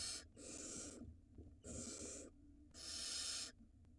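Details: Barn owl pair in Israel, 2022, on a live nest camera during a mouse handover from male to female for the nestling. Three hoarse hisses follow one another, the final one longest, with faint rustling.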